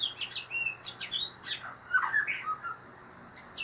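White-rumped shama singing a quick run of varied chirps, whistles and short trills, many notes jumping between high and mid pitch.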